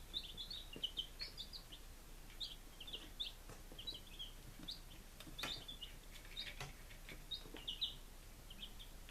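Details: Five-day-old baby chickens in Lunenburg, Massachusetts, on 23 July 2017: overlapping high, thin peeps in quick bursts, with occasional soft knocks and rustles underneath.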